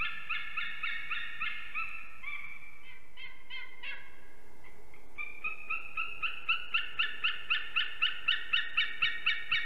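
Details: Nesting adult eagles in Ķemeri, Latvia, calling at dawn on 8 March 2024 around mating. Harmonic yelps falter and pause midway, then resume as a fast, regular, clipped series.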